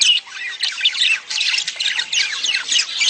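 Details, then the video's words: Mating sounds of budgerigars, played to encourage egg laying by a female. Harsh squawks and fast chirping tumble together in an unbroken, high, scratchy warble. "خلي انثي البادجي تبيض بسرعه.اصوات التزاوج للتحفيز"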